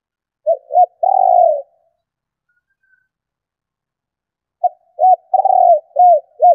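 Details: Female spotted dove cooing to stimulate males: short low hooting notes followed by a long, steady, slightly falling coo, then after a pause another run of short coos and a long coo.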